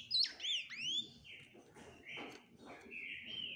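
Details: Ultramarine grosbeak singing: a few loud slurred whistles sweeping up and down, followed by softer, drawn-out level whistled notes against quiet background hiss.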